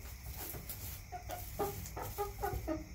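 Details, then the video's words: Backyard chickens clucking: a run of short, low, throaty clucks in the second half, several in quick succession about every quarter second, over a steady low background rumble. "CHICKENS CLUCKING ASMR"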